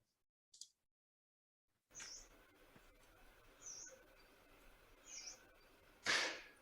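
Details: A Yellow-browed Warbler flying over at night in Ireland, at about 10:40 pm in late October, in strong easterly winds during a break in the rain, seemingly coming down to land: three thin, high 'tsweest' calls about every 1.5 seconds over soft hiss.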